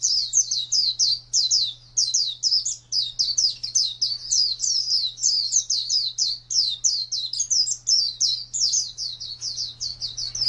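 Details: Continuous high, rapid warbling of an Oriental white-eye in the ngalas style, notes tumbling evenly with few breaks, accompanied throughout by a constant low hum.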